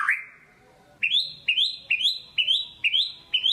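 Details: White-rumped shama, kept as a cage bird, in a lure song to stir quiet birds: one long low whistle, a pause, then six sharp upward-slurred whistles repeated about every half second.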